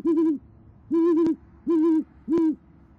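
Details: Four loud, deep hoots, each about a third of a second and slightly wavering, spaced about every 0.7 seconds, from a great horned owl pair at an Oklahoma City nest, the female summoning the male, January 2014 evening.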